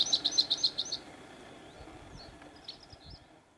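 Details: A singing Bluethroat in the Bargerveen, Netherlands, opens its song with six quick, ringing high notes in one second. A few fainter, scattered high phrases follow over a soft outdoor hush.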